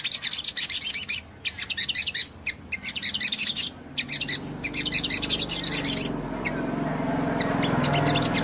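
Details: Ruby-cheeked sunbird song used to excite other sunbirds into responding: bursts of high, fast chattering twitters broken by short pauses, with a low rumbling noise building underneath toward the end.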